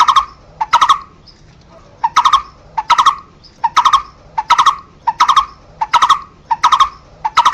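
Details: Barbet (family Megalaimidae), known in Vietnam as Cu Rốc, Lô Cốt or Thầy Chùa: hollow, mid-pitched notes given in quick doubled or tripled clusters, repeated steadily about every three-quarters of a second.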